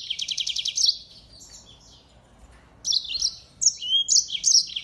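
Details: Mozambique finch, a singing finch also called African canary, kept as a songbird, singing energetically as a model song for training other songbirds: a rapid buzzy trill, then a pause and bursts of high, sweet chirping notes.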